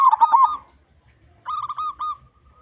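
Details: Lure song of a local zebra dove with a strong voice: a short burst of rolling trilled coos, a pause, then a softer run of wavering cooing notes.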